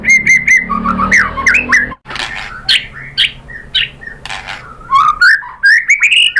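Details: Lure song of a white-rumped shama, meant to get other shamas singing back: varied rich whistles mixed with harsh, rasping notes and quick slurred phrases, with a brief silent gap midway.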